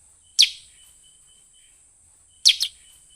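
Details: Sooty-headed bulbul lure call to attract wild birds, heard as a single sharp downward chip followed two seconds later by a quick double chip, with a steady faint high tone.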